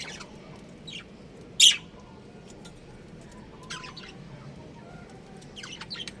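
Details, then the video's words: Budgerigars from a colony giving high chirps: one sharp loud squeak early on, then scattered thin chirps and short twittering bursts against a quiet low hum. "Beautiful Budgies Chirping Sounds"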